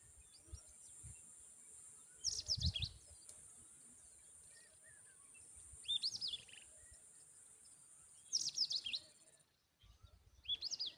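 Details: Tailorbird at the nest feeding its babies a butterfly; bursts of rapid, high, sharply descending chirps about every two to three seconds, with a steady high electronic hiss and faint whistles from other birds.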